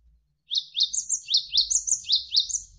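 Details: Javan sparrow, a tutor recording for songbirds with faint running water: a lively series of high, steeply falling chirps, about three per second, each followed by a thinner higher note.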